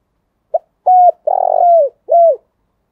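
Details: Morning coo of a spotted dove in the 'thổ đặc' voice style, played to make kept doves answer: one short pip, then three low mellow coos, the middle one long, vibrating and sliding down at its end. No other sounds.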